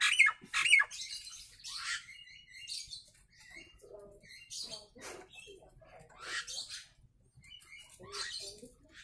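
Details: Nias hill myna, natural voice played as a training call: two sharp, bending whistles open, then hoarse, noisy squawks and chattering notes at an irregular pace, fading between bursts.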